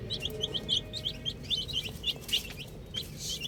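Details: Cute little chicks at play with a ball chirp in rapid, repeated short high peeps, over a soft background hum and a few faint clicks.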